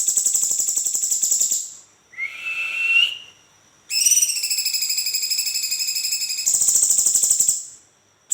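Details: A cucak cungkok bulbul delivers its rolling song, meant to coax other birds to sing: rapid pulsed buzzy trills, a short rising whistled phrase in between, then a longer rolling trill that quickens toward the end.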